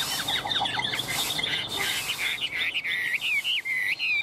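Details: A very tame, hand-held captive Chinese hwamei, being teased and its cage shaken, sings a rapid run of clear, varied whistles, then loud slurred upsweeping notes repeated several times, over faint background hiss.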